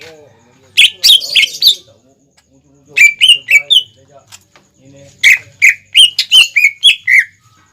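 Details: Greater green leafbird in energetic song as a lure for young or untrained birds: three separate bursts of rapid sharp chirps and falling whistles, each about a second long, with quiet gaps between.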